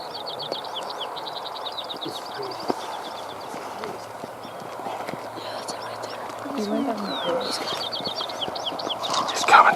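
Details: American Robins feeding in the open alarm at wolves passing too close: quick, monotone, sharp high notes repeated in rapid bursts, very unlike their song. Other birds call faintly, with a low hum and a quiet voice.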